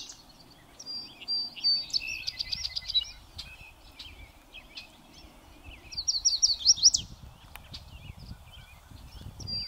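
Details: North American song sparrow singing twice on a windy day on a northern USA prairie, each song a series of sharp notes rolling into a fast trill, separated by quieter chips and steady wind.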